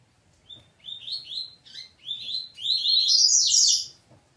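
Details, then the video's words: Double-collared seedeater of the peteteu song style, fighting with its family: a rapid run of high chirps and short slurred notes, rising into a dense, loud twittering burst toward the end, with a faint low hum behind. "Coleiro Peteteu Briga com Família"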